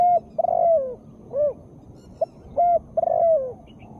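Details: Female spotted dove in full voice, used to stir lazy birds into calling. Low mellow cooing in short phrases: brief hoots, then a longer drawn-out coo sliding down at its end, the pattern given twice over a quiet background.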